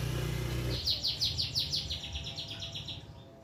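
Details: Canary song used as a master for young birds and to encourage females to breed: low rumbling background noise, then a clear series of rapid downslurred high notes, about five per second, fading gradually.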